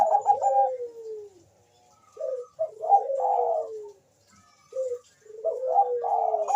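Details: Fast-calling Bangkok-type zebra dove answered by a rival, used as a lure: repeated bubbly cooing phrases, each trailing into a long descending whistle, two birds alternating.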